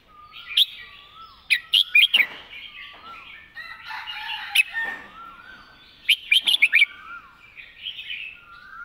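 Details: Red-whiskered bulbul in the 'mae bot' master song style: crisp, clearly enunciated chirping phrases with liquid warbles and soft rising whistles, repeated in bursts, over a faint murmur.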